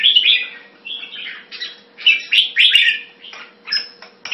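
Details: Caged red-whiskered bulbul, Thai-style keeping in Singapore, February 2018: choppy short chirped and whistled phrases, roughly four per second in bursts, separated by brief pauses, with a faint hum in the background.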